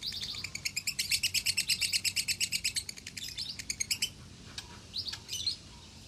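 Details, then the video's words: Lovebird with a 'konslet' style song, used as a master recording for training other birds, kept at a farm in Salatiga. A rapid, shrill run of high chirping notes lasts about four seconds, then a few scattered sharp notes follow. "Masteran Lovebird Konslet ASLI"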